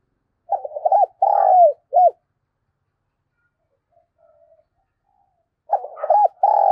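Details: Lure-calling spotted dove (gọi mồi, thúc bổi): a hoarse multi-note coo phrase ending in a sustained, falling coo and a short note, then a quiet gap, then the same phrase starting again.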